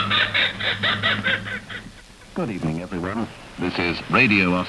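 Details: Kookaburra laugh from Australia: a quick run of chuckling notes, then loud, swooping ha-ha cries rising and falling, heard through a thin, hissy shortwave radio broadcast from Radio Australia.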